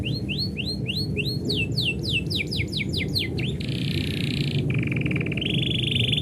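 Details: Canary singing as its owner is about to leave: rising whistled notes, then faster downslurred ones, followed by buzzy trills, set against strong low-pitched background noise.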